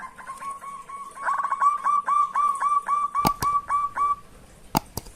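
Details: Zebra dove, a local bird, singing to lure rivals: fast repeated whistled coo notes, about four per second, in a long steady series, broken near the end by sharp clicking knocks.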